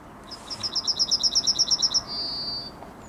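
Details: A yellowhammer sings its morning song on 9 May 2021: a fast run of about fourteen high, buzzy notes, then one long, drawn-out note. Faint background hiss throughout.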